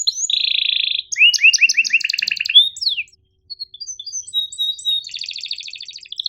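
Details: Canary tutor song with a long buzzy note, rapid rising and falling trills and a brief pause, then soft high twitters and a fast pulsed roll; used to help young and reluctant canaries learn.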